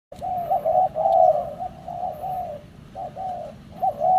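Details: Spotted dove giving soft, low hooting coos, a long drawn-out run of mellow notes followed by two shorter separate coos, against faint background rumble.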